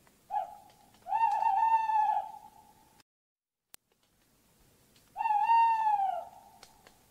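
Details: Tawny owl giving long, hoarse, harmonic-rich calls. A short lead-in note precedes the first call, each call lasts about a second, and a pause of roughly three seconds separates the two, with one sharp click in the gap.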